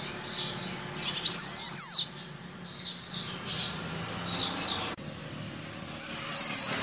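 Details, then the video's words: Male golden-bellied gerygone singing busily: short high thin phrases, with bright fast trills of about eight notes near the start and again at the end, fainter high notes between, and soft low background hum. "SUARA BURUNG CIU KUNYIT JANTAN GACOR"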